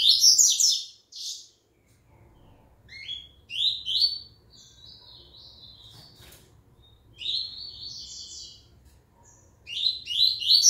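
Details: Seedeater of the double-collared kind, marked IT, resuming song after moulting; loud sharp chirpy bursts alternate with rapid descending warbled note runs and brief silences, repeated across the recording, faint hum beneath.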